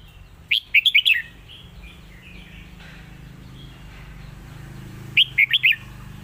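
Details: Loud song of a red-whiskered bulbul, the 'lak wai' master song style: two sharp bursts of four or five rapid, ringing whistles separated by soft warbling, over a steady low hum.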